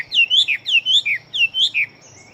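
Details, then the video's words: Big-bodied fighting Chinese hwamei singing: loud paired whistles, each falling from a high start, repeated in three quick groups, then a faint trailing note. "Họa Mi Chiến Siêu Mau Mỏ Bộ To Hót Tốt"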